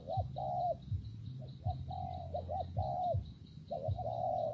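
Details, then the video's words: During rain and wind, a spotted dove gives a run of gentle coos, short clipped notes alternating with longer sustained tones in steady succession, with a deep rumbling drone beneath. "Thời tiết mưa gió ace vào nghe cu gáy gù cả ngày"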